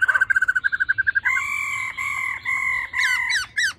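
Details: 'Ro ro' calling of a female laughingthrush, used to fire up males: a rapid pulsing trill opens, followed by long level nasal tones and then a few sharp up-and-down inflected notes.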